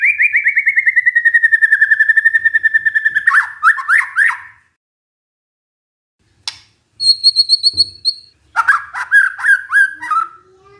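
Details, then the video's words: White-rumped shama lure song (pancingan), played to stressed shamas that stop singing, opening with a fast slurred trill gliding slightly downward, then choppy rising notes, a pause, high twittered phrases and more rapid warbled trills. "pancingan murai batu macet bunyi karena stres"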